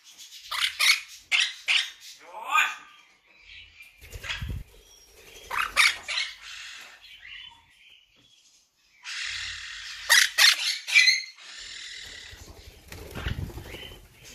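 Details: Monk parakeets chattering with rapid runs of harsh, clipped squawks and raspy screeches, bursts coming several per second, with some low thumping noise in the background.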